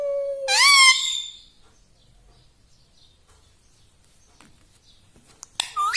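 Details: Talking pet parrot, known locally as tota: one loud harmonic, rising squawk-like utterance, a long quiet gap, then another short nasal call at the end.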